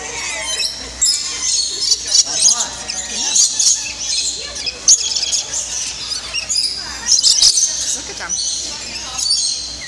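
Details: Lorikeets in an indoor aviary in Niagara Falls, Canada, at feeding time with cups of nectar: a dense chorus of shrill, high screeching chirps from many birds, with people talking underneath.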